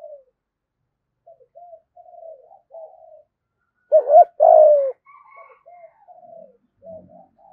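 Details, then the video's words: Spotted dove used as a lure bird, mostly soft low intermittent coos, with one loud phrase midway of a clipped double hoot followed by a long falling coo. "cu gáy thúc gù giọng thổ đủ bài giọng hay, bổi và cu gáy mồi nghe là rất ức chế"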